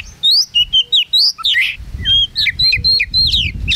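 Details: Caged Oriental magpie-robin, a contest winner, recorded close beneath its cage at a Singkawang bird-song event; quick loud whistled phrases and slurred chirps tumbling together, with low crowd noise behind.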